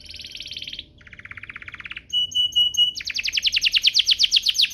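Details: Canary song used to get other canaries singing: a steady buzzy trill, a softer lower rattle, pure high piping notes, then loud rapid repeated descending whistles.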